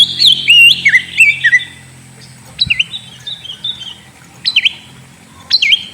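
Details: Oriental magpie-robin (kacer) song used as a lure to get a sulking bird to start singing: clear, looping whistled phrases, high and wavering, delivered in short bursts separated by pauses, with a few sharp upward notes.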